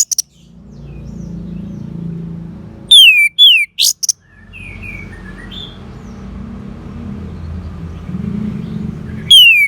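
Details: Orange-headed thrush song intended to stir a silent bird: a cluster of loud downslurred whistles and sharp notes, softer whistled notes under a steady low hum, and one final falling whistle.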